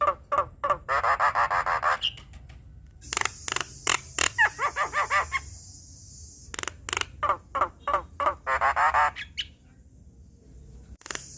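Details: Black-winged starling in a training song for young birds: harsh, grating chatter and bursts of rasping notes in quick rhythmic runs, broken by short pauses, with a high hiss beneath some passages.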